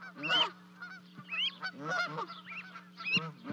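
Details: Two goslings leap from a 30-foot-high osprey nest in Charlo, Montana, to join their parents, 12 May 2020, on a livecam. A few rising, whistled peeps come between rougher calls, with a steady low hum throughout.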